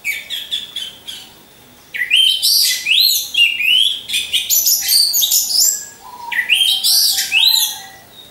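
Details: Lure song from caged orange-headed thrushes hung side by side to train contest birds: soft twittering at first, then loud rapid phrases of rising whistles and chirps in repeated bursts.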